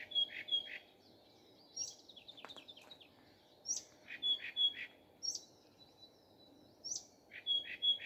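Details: Common nightingale singing in the morning, repeating short phrases of a thin high whistle followed by two or three sharp chirps, roughly every second and a half, with a faint hum behind.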